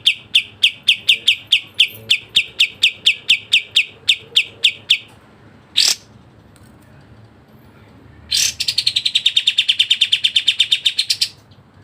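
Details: Rapid 'tembak' song of kapas tembak, the Sooty-headed bulbul: a quick train of high clipped notes, a lone harsh note after a pause, then a denser, faster rattle of high notes.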